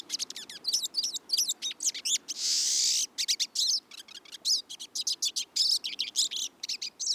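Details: A pine siskin (Spinus pinus), a flocking winter visitor, gives rapid, twittering high notes in quick bursts, broken by a long, harsh, strongly ascending buzz near the middle, its characteristic call.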